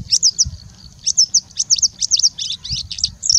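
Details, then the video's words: Singing bushlark in India singing at length and mimicking other birds: quick high notes around 4–8k, bright slurred chips and short trills in bursts of two or three, with low rumbling background noise. "Singing Bushlark singing and mimicking for more than three minutes straight"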